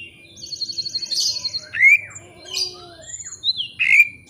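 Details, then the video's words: White-rumped shama used as a rival-provoking lure, giving a high even trill followed by sweeping whistled slurs and sharp bright notes spaced apart. "kacer ngeplay cari lawan. pancingan kacer agar bongkar isian.!!!"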